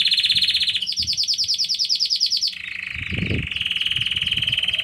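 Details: Belgian canary of intense yellow colour in full song: fast trilled rolls at a middle pitch, a higher buzzy run, then a lower steady rattle, with a brief soft thump in the background.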